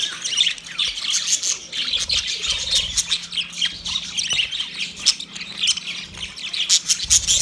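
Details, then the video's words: Budgerigar calling another budgie, an unbroken flow of chirps, squeaks and warbled twitters with intermittent louder squawky bursts and occasional clicks. "Budgie sound when call other Budgie"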